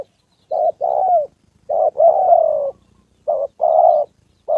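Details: Spotted dove decoy bird, number 81, in a trapping session in Gia Lai, Vietnam, facing a wild fighting male and a female around the 2 September holiday; mellow coos in short doubled phrases, the longer notes sliding downward.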